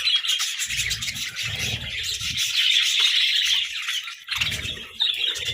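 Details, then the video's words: Cheerful budgerigar chirping during playful competition for treats: steady, dense high chatter with rapid squeaky notes and intermittent low thuds and rustles. "Parakeet Symphony & Budgie Brawls: Chirping Sounds and Food Fights!"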